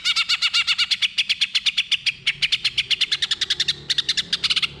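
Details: A greater green leafbird sings a fast, unbroken run of bright, chirping notes, about eight per second, high-pitched and slightly varied, a lure call meant to provoke a silent bird into singing. No other sounds stand out.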